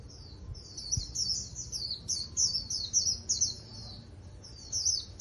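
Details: Japanese white-eye in contest trap song, delivering a fast stream of high, thin warbled phrases in clustered bursts separated by short gaps, over a quiet background.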